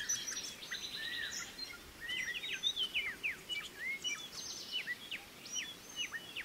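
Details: Female pied fantail feeding her young in forest, with a busy stream of high, thin chirps and short slurred upswept and downswept whistles overlapping in quick succession; notes cluster densely, with several callers audible at once.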